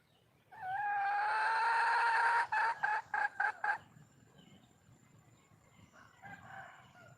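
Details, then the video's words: Wild female red junglefowl calling for a male: one long, drawn-out, harmonic nasal note lasting almost two seconds, then five short, clipped notes in quick succession, followed by a softer, faint call near the end. "le bruit d'une poule sauvage,เสียงไก่ป่าร้องหาถู่หาตัวผู้,ສຽງໄກ່ປ່າຮ້ອງຫາຄູ່ຮັກ, poj qaib qus see"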